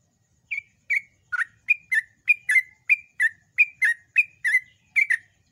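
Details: Yellow-vented bulbul, recorded to train birds in the loud, long ropel song style. About thirteen short chirps, each dropping slightly in pitch, follow at roughly two per second. The background is quiet.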